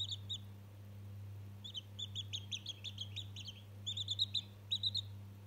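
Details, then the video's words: Bursts of rapid, high, clipped peeps from a chick just one day old, talking to a toy, come in lively runs with brief gaps, a constant low hum underneath. "Разговорчивый цыплёнок ИЛИ общение с игрушкой"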